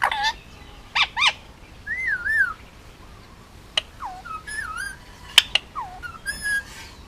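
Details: Pet male Indian ringneck parakeet, hand-fed and nearly two, on Oahu, Hawaii: scattered clicks and sharp squawks mixed with wavering whistled phrases, some rising and falling in loops.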